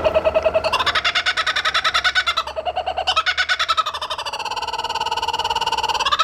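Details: Laughing kookaburra giving a long, continuous laugh: rapid, evenly pulsed harmonic notes, roughly two per second, rising and falling in pitch, swelling into a dense cackling chorus and ending on higher rising notes.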